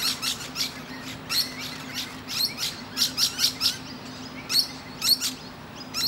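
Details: A Musk lorikeet resting on a tree branch chats with other birds: shrill, high, rasping screeches in quick irregular bursts, several birds overlapping, over a faint steady hum.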